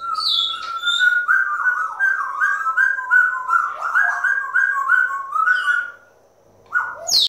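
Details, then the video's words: Four pet grey parrots making weird sounds: a run of clear whistles and warbling notes, rising and falling quickly, with a few harsher squawks, then a short pause before one final squawk. "grey parrots weird sound"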